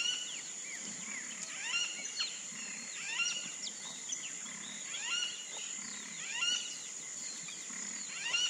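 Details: Calls of the wattled jacana, a wetland bird: tangled clusters of sliding, downward-curving notes, irregular and overlapping, with a continuous high-pitched insect chorus behind them.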